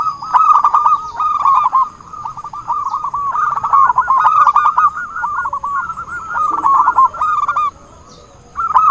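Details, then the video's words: Zebra dove call played as a trapping lure: dense, overlapping bursts of rapid bubbling coos at a level mid pitch, carrying on for several seconds, then a brief pause before a last phrase, over a faint steady high hum. "suara burung perkutut buat pancingan || suara pikat perkutut"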